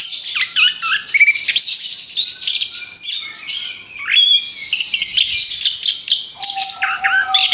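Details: Orange-headed thrush just after moulting, sung as therapy to restart singing: continuous, varied warbling with slurred whistles, rapid chatter and high squeaky notes, ending over a level low tone.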